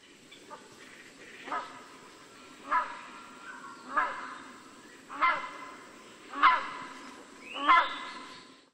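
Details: Rhinoceros hornbill giving a run of six loud, hoarse honks spaced roughly every 1.2 seconds, growing stronger through the series, the final one sliding upward, against low steady hiss.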